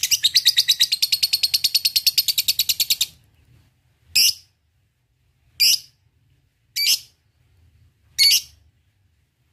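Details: Lovebird song used as a lure to draw rival birds: a fast, high, rattling ngekek chatter for three seconds, followed by four harsh shrill calls spaced a bit over a second apart.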